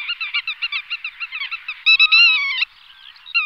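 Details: Black-tailed godwit (Limosa limosa) gives a quick run of nasal, reedy notes, about four a second, then a few longer, harsher drawn-out calls.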